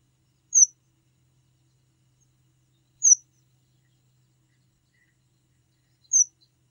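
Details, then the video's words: A red avadavat (red munia, strawberry finch) gives three thin, very high, short chips spaced about two and a half seconds apart, with near silence between them. "Red Munia Call"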